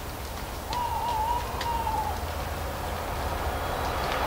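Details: An owl gives one drawn-out, slightly wavering hoot lasting over a second, at an even mid pitch. Scattered dry clicks of falling leaves and a low steady rumble sit behind it.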